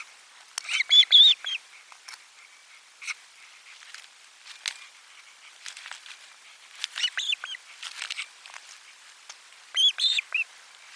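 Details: Osprey nest at lunchtime with a fish being delivered, nest camera four, 12 July 2022: scattered high chirping calls in bursts over a busy background of clicks and rustling.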